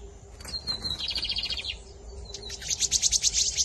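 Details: Bigodinho, or double-collared seedeater, from the 2023 season featuring Camelão and Torneiro song styles. A slurred whistle opens into a buzzy rattling trill, a short pause follows, then a sharper, very high series of rapid chips.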